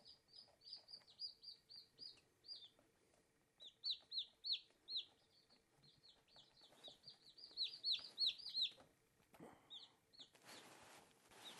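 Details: Four newly hatched Silkie chicks playing, giving quick runs of high, thin peeps, mostly falling, in rapid uneven bursts. A short pause, then a louder cluster of peeps, followed by a harsh rustling burst near the end.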